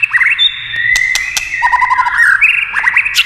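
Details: White-rumped shama song prompted by tail-tapping clicks: a long sliding whistle, then a quick run of low bubbly notes and rising chirps, with sharp clicks cutting through.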